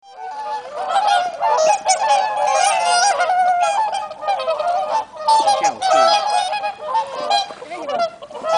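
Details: A flock of swans calling on a calm, windless, sunny late-autumn day of mild warmth, with overlapping resonant honks and trumpeting notes sounding almost continuously and dipping briefly near five seconds.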